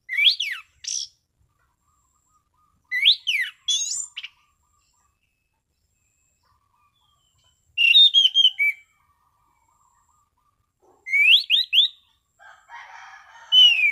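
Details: Orange-sided thrush delivering steady, clear ngeplong song: separate loud phrases of sharp rising and falling whistles every few seconds, each followed by silence, ending with a buzzier phrase over a soft murmur.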